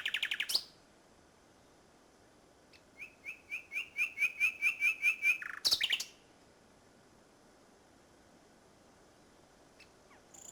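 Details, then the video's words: Nightingale singing at Salthouse in Norfolk on 1 May 2011: a loud harsh burst, then a crescendo of about a dozen rapidly repeated whistled notes, another sharp burst, and long pauses of near silence. "Nightingale Salthouse 01.05.11"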